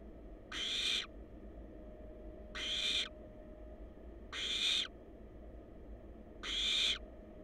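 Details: Wild barn owl chicks in a monitored nest box, caught on a live cam: four harsh, breathy hissing screeches, each about half a second long, spaced roughly two seconds apart over a low steady hum.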